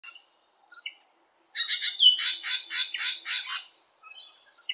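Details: Rainbow lorikeet visiting a garden, giving a rapid burst of harsh, screechy, broadband chattering notes for about two seconds, framed by a few brief softer chirps before and after.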